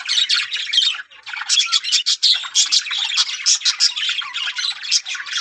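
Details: Yellow budgerigars in a breeding colony make rapid, stuttering chatter. Short squawky notes follow each other in quick bursts after a brief pause near the start.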